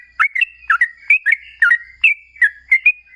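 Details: Sooty-headed bulbul in rapid ropel singing, used to provoke other bulbuls into calling: short, gurgling whistled phrases, each a low note jumping to a higher one, repeated rapidly.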